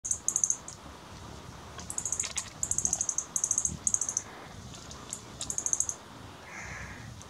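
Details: Great Sapphirewing at Yanacocha Reserve, Ecuador, giving very high, dry ticking chips in quick bursts of about half a second, repeated several times, with a soft whistle near the end.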